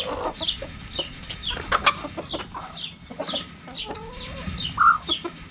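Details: Backyard chickens playing with a cabbage: a few low, rounded clucks under a busy layer of high, thin chirps that slide downward.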